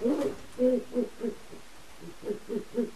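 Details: A captive pair of great horned owls in a large aviary vocalise while copulating: the male squeals and the female chitters, giving low, throaty notes in quick, uneven bursts, about eight in three seconds, with the room otherwise quiet.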